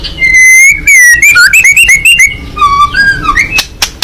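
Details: Singing White-rumped shama, a fighting bird with open beak: sustained pure whistles, wavering and bouncing notes in quick succession, lower slurred phrases and sharp clicks at the end.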